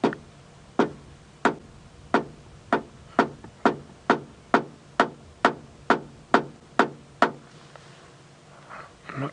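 A run of sharp knocks, roughly every half second, over a low hum, with faint voices near the end.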